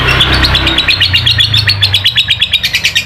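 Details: Lovebird giving ngekek song, used as a lure to make a reluctant lovebird sing: a long, rapid, evenly pulsed chattering trill of sharp high notes running through the whole stretch, over a low background hum.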